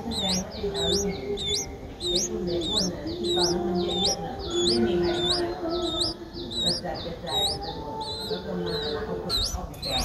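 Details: Begging Streak-eared Bulbul nestling aged seven days, recorded 9 April 2023 in Ubon Ratchathani, Thailand: continuous high rising peeps, several per second, steady throughout, with soft lower tonal sounds behind.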